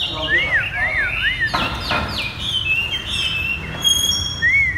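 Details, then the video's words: Chinese hwamei, caged and bought, in 'thắt cổ chai' song. Rolling, undulating whistles repeat three times, then sharp downslurred notes and level high whistles, with a final wavering phrase. "Chim hoạ mi đặt đất hót thắt cổ chai thắt cổ chai"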